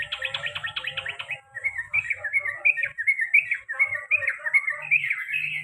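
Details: Long rolling 'ropel panjang' song of a pet male sooty-headed bulbul in the 'garuda' style. It opens with a fast chattering trill, then moves into a steady string of short, bubbly warbled phrases repeated over and over. A faint low hum sits in the background.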